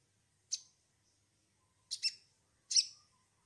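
Sharp, high chips from a small sogon bird, given singly and then in a quick double, spaced about a second apart against a quiet background.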